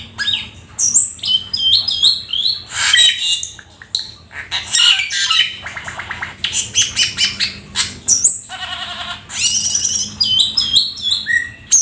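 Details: Full, energetic Black-winged starling song with squeaky whistles, rasping chatter, buzzy rattles and quick falling whistled notes in a nearly unbroken stream.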